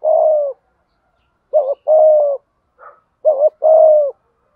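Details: Decoy spotted dove cooing to stir captive birds into singing; three low phrases, each a quick double note and a long level coo, with a faint higher chirp between the second and third.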